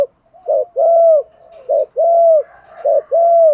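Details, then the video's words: Lure cooing of a spotted dove, of the kind used to draw in wild doves. A brief note and then a drawn-out low coo repeat about every 1.2 seconds in an even rhythm. "Tiếng chim cu gáy kích bổi mới [ tiếng THÚC, GÁY GỌI, GÙ ĐẤU ]"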